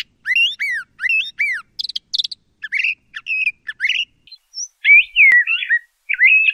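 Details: Energetic LeConte's thrasher singing: rich upslurred whistles repeated in pairs, then scratchy chattering notes and slurred warbles, with one sharp click partway through.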